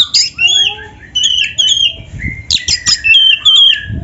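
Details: Energetic song of a caged black-breasted Oriental magpie-robin with imitated canary phrases: dense sequence of bright whistled trills and chattering high notes, a few sharp clicks midway, faint low knocks in the background.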